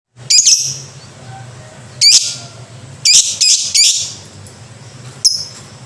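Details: Lovebird, from a ngekek-style song recording. Five loud, shrill chirp bursts with separate gaps between them. A low steady hum runs underneath.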